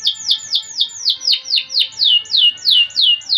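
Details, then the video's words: A 'gacor' canary delivering its 'cengkok mewah' (luxurious melodic style) song as a steady series of loud, high whistled notes, each sliding downward, repeated about three to four times per second. "Suara Burung Kenari Gacor cengkok mewah"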